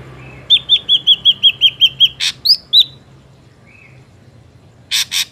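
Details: Ashy drongo song for luring birds into traps: a steady run of about ten whistled notes, two upslurred whistles, a harsh rasp, then three more rasps after a pause.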